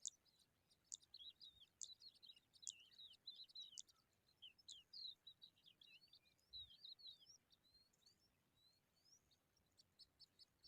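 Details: Eurasian skylark babies basking in sunlight make a busy stream of squeaky, twittering high chirps, dense at first, then thinning into scattered short slurred notes, with a brief low bump partway through.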